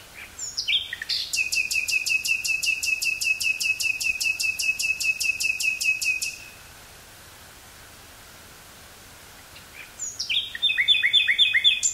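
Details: Nightingale in song in woodland near Burgh-Haamstede, Netherlands, 18 May 1983, portable cassette recording: a long fast rattle of about twenty identical clicking notes over five seconds, silence, then a new burst of varied rapid notes.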